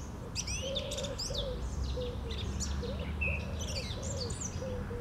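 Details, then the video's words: Song thrush in full song on a Sunday morning, 11 April 2021, delivering varied high twittering and whistled phrases, with a level whistle near the end, while a deeper bird repeats soft low cooing notes beneath. "Śpiew drozda śpiewaka w niedzielny poranek"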